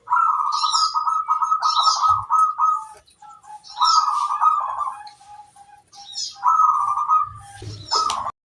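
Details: Female zebra dove in the wild giving rolling, trilled coo phrases near mid pitch, three long bursts separated by short pauses, each with stuttering beats, while higher chirps from other birds overlap.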